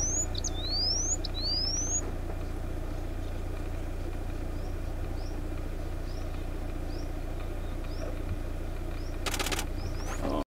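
Indian bush lark giving high, thin upslurred whistles, a quick loud run at first, then fainter rising notes spaced every second or so, over steady low wind rumble.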